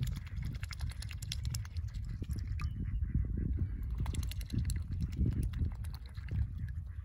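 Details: A male mute swan (cob) feeding on seeds gives low, muffled territorial grunts and snorts in an irregular series, with soft splashing and dabbling noises throughout; his mate is thought to be on the nest.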